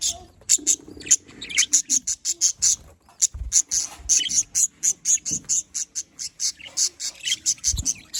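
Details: Pet budgerigars chattering together: rapid, sharp high chirps repeated in quick bursts, almost without pause, with a few soft low thumps in the background.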